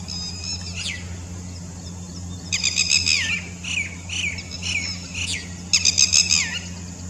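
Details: Red-wattled lapwing calling in reply to a bird on the other side, its typical 'did you do it' call: a single falling note, then bursts of rapid shrill high notes and slurred descending calls, over a constant low hum.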